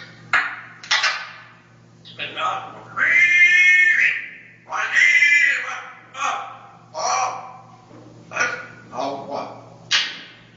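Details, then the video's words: Dutch-bred parrot from 2010 with a very loud voice, uttering a run of rasping, buzzy squawks and drawn-out harmonic screeches, some held almost a second, spaced irregularly over ten seconds indoors over a faint hum. "ببغاء هولندي 2010 صوت عالي جدا"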